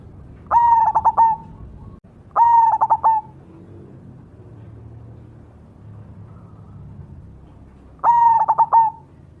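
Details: Cemani zebra dove singing actively: three cooing phrases, each a ringing low whistled opening note that breaks into a quick stuttering run of throbbing notes, separated by pauses of about three seconds over a faint low hum.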